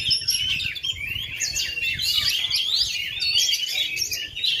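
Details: Contest kacer, the Oriental magpie-robin, still in full voice after 2.5 years without a molt: busy run of sharp whistles, rising and falling slurs and scratchy notes, packed tightly together.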